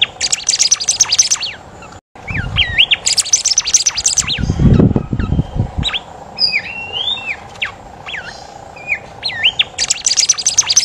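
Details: A kept golden whistler (Pachycephala pectoralis) sings clear rising and falling whistles between bursts of rapid, high chattering notes.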